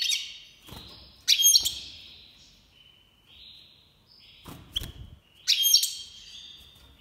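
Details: Breeding-season Iranian goldfinch (major) sings repeated bursts of bright, buzzy twittering separated by softer sustained notes, with a few sharp clicks or knocks in the background.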